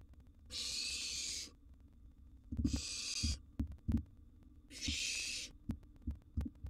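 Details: Three harsh, drawn-out hisses from a wild barn owl nestling in a monitored nest box during a gerbil meal, interspersed with repeated knocks and scuffing.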